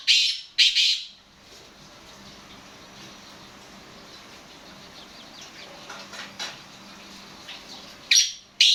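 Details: Black francolin, known locally as kala teetar, calling: two loud, harsh, grating bursts open the recording and two more close it, separated by a long quiet stretch with a faint low hum and a few soft clicks.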